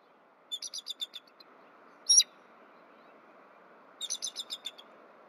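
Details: Female bald eagle returning to the nest in the morning, exchanging soft mewling vocals with her mate before mating on a branch: rapid series of high, thin chittering notes, a brief sharper squeal, then another chittering run.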